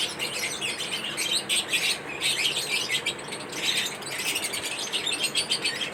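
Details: Mating-ritual calls of lovebirds: energetic, high squeaky chirps delivered in fast clusters, forming a continuous, chattering chorus with slight swells.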